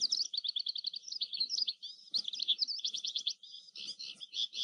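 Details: Oriental skylark song: high, rapid twittering with trilled and buzzy phrases broken by short gaps, fluttering quickly in a continuous melodious stream.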